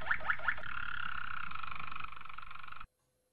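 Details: Malinois Waterslager canary singing a training song: three quick rising notes followed by a sustained bubbling roll that fades and stops abruptly.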